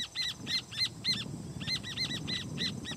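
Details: Rufous horneros on another species' nest giving loud alarm calls: paired, ringing, arched notes repeated about four times a second, bright and harmonic, with low background rumble.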